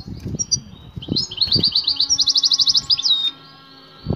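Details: Mating call of a female European goldfinch summoning the male: a few thin notes lead into a rapid, pulsing high trill of evenly repeated ticks, then a falling note, with soft low knocks behind.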